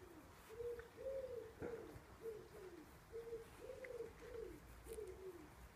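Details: Wood pigeon cooing in a garden, a series of soft, hoarse, low coos in a rhythmic phrase with stressed middle notes, repeated across the recording, with faint background noise.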